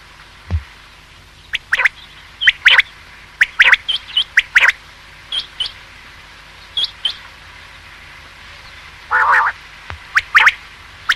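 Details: Male quail (batair) call recording used for hunting: short bright notes, often in quick pairs or triplets, scattered irregularly about once a second, with one longer harsher burst near the end.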